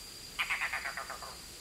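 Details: Red-bearded bee-eater calling to its young before entering the nest: a quick series of about eight harsh, croaking notes that fall slightly in pitch and fade, lasting just under a second over a quiet background.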